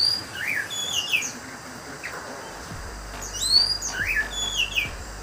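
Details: Kept orange-headed thrush from Banjarnegara, described as "teler": clear whistled notes that slide up and down, with brief warbled phrases separated by pauses, over background noise and faint low sounds.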